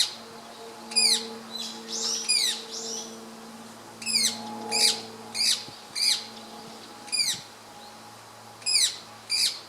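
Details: Female rose-ringed parakeet, subspecies manillensis, perched on a tree branch and apparently feeding, recorded 18 April 2015 with a Panasonic DMC-FZ200: loud, harsh, sharply descending screeches, in pairs and singles, against a steady low electrical hum.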